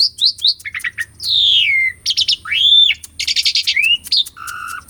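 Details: Energetic song of an Asian pied starling, a live recording meant to stir silent birds into song; short rising chirps give way to long falling and arched whistles, then scratchy bursts and a flat whistled note.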